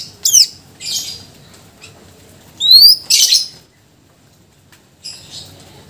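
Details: Greater green leafbird in active song, delivering its mimicked repertoire of filler phrases for training other birds; loud high slurred whistles, buzzy bursts, and bright rising notes in uneven bouts with pauses.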